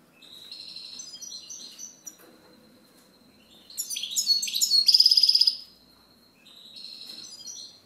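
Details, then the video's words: European goldfinch singing a long, varied twittering song: liquid chirps, a tumbling series of descending notes, then a loud rapid buzzy trill, and a final quieter twitter. "Chant Chardonneret"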